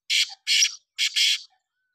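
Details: Black francolin, known locally as titar, dated 2 10 2023: loud, harsh, grating notes in two pairs, each burst short and rasping, delivered within under two seconds against a silent background.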